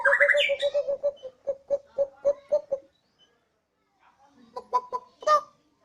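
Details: Pet White-rumped shama from Borneo, kept at a house terrace, singing keenly like a siren. A rising whistle opens a rapid even string of mid-pitched pulses. After a silent pause, a few harsher clipped notes follow.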